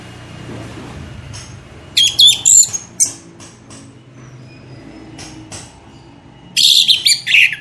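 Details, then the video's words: Orange-headed thrush lure song: two loud clusters of rapid, high, jumbled whistles and chatters, with scattered softer clicks in the pause between. "pancingan anis merah gacor ngeplong 100% jitu"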